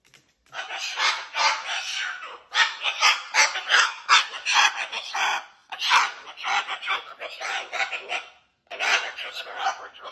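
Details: A pet cockatoo narrates his stories with whole-body movement while flinging fibres: extended bouts of loud, grating, rasping chatter in quick pulsed syllables, broken by brief silences and resuming several times over ten seconds.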